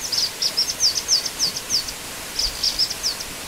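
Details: High, thin downward-slurred notes from a black-winged flycatcher-shrike, delivered in a quick string of about eight, then a pause and a shorter burst of four, set against soft outdoor noise.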